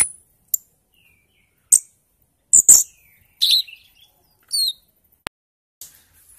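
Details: Bali myna song from a lure recording meant to prompt birds to sing, early 'ijoan trotol' stage: sparse, isolated high chirps and clicks separated by silent gaps, plus a few brief upslurred whistles.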